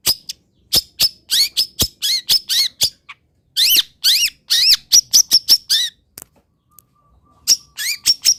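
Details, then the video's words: Local long-tailed shrike from Pati in its essential song fill: dense bursts of sharp squeaks and rising slurred whistles, a brief pause with a faint steady tone, then another quick run of high notes. "ISIAN WAJIB BURUNG CENDET"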